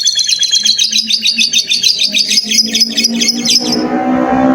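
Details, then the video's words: Lovebird's long ngekek trill, used to train young lovebirds: nearly four seconds of fast, even, high chattering pulses, buzzy and bright, ending abruptly before a low hum takes over. "SUARA 97 love bird ngekek PANJANG Cocok untuk Masteran love bird paud"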